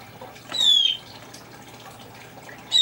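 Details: Congo African grey parrot imitating a blue jay, giving one harsh, slurred downward call, with the start of another at the very end; low steady hum underneath.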